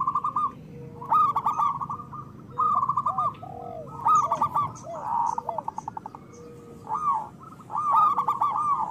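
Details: Several local zebra doves cooing together as a singing lure: repeated bursts of fast, ringing trilled coos separated by short gaps, with softer curved notes underneath.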